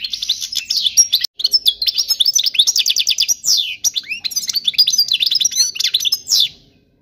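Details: A European goldfinch delivers unbroken training song for young birds, seven seconds of fast tinkling twitters, buzzy trills and sharp downward-swept notes in quick varied phrases, stopping abruptly near the end.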